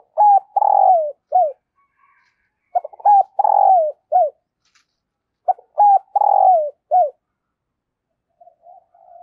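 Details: Decoy spotted dove cooing to call in wild doves: three loud, mellow phrases, each a short note, a long wavering coo and a closing note, spaced about every three seconds, with a faint soft coo near the end.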